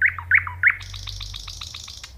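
Nightingale song: three loud, rising whistled notes about a third of a second apart, then a rapid, quieter run of short clicking notes.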